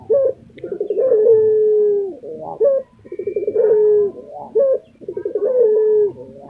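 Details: Pet lutino Barbary dove from Indonesia, in strong calling form, gives three coo phrases, each a short rising note, a run of throaty pulses and a long even hum, roughly every two seconds.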